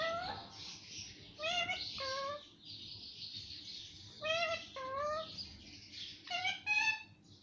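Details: Talking parrot that says mummy and papa repeats paired, human-like syllables with a strong nasal tone, the second of each pair lower. Three phrases come spaced a few seconds apart.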